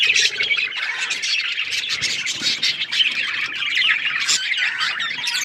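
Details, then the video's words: Budgerigar chatter from many birds: dense high warbling, chirps and scratchy squawks running continuously. "Beautiful budgies parrot chirping sounds"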